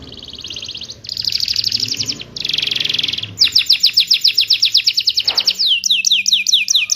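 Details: Singing canary, played to encourage silent canaries to sing again: dense high buzzy rolls broken by short pauses, then a long series of sharp repeated chirps and quick downward sweeps, with faint low background hum.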